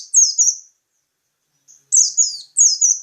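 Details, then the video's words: Local peci songbird giving high, sharp chirped notes that slur downward, first a double phrase, then after a pause two more quick double-note phrases. "Burung Peci lokal"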